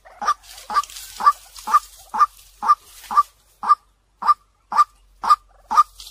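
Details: Clear decoy call of a white-breasted waterhen, meant to lure birds in fast: a steady series of short, harsh, nasal 'kwak' notes, about two per second, with brief pauses between them.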